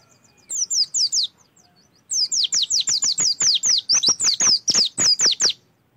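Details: Oriental white-eye singing as a lure to start others singing: a short burst of high down-slurred notes, a brief gap, then a long, steady run of about fifteen quick, piercing notes.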